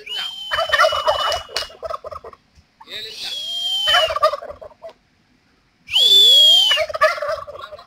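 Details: Male turkeys dancing to impress females in a mating display, giving three loud gobbling bursts, each a fast rattling burble with a thin whistled overtone, separated by brief pauses.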